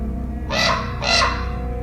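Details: Common Raven gives two harsh, hoarse croaks about half a second apart, each rough and broad, over a steady low hum; recorded January 21, 2018, Cootes Paradise Sanctuary, Hamilton, Ontario, Canada.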